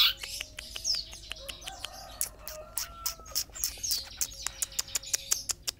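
A Long-tailed Shrike gives a fast, scratchy, chattering song of sharp clicks and ticks, mixed with a few thin, sustained whistled notes.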